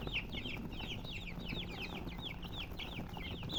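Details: Chicken chicks peeping: bright, brief, falling chirps repeated in quick succession from a small group, evenly spaced, with a low steady hum and soft rumble beneath.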